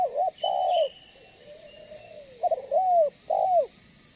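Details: Spotted dove lure bird, meant to draw in and set off other doves, calling with full falling coos, a soft gliding coo in the middle, and a faint thin whistle above.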